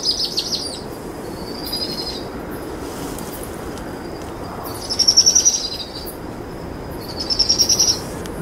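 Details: Powerful owl chicks, a pair, trilling to beg as an adult female feeds them possum after dusk; high, fast-pulsed trills come in bursts, with two stronger ones near the end and quieter trills earlier, over constant low hiss.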